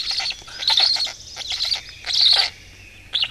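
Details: Black stork family at the nest in Estonia on the morning of 20 May 2018: harsh, wheezy, high-pitched call bursts in four rough clusters over about three seconds with short pauses between, and no other clear sounds.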